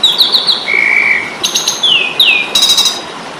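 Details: Fighting song of an Asian pied starling, played to train songbirds: quick chirps, a long level whistle, harsh broadband bursts and two downslurred whistles.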